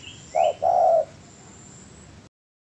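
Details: Spotted dove coos from a master recording for training songbirds. One short low coo is followed by a longer, even coo, with two faint rising chirps above them, then quiet.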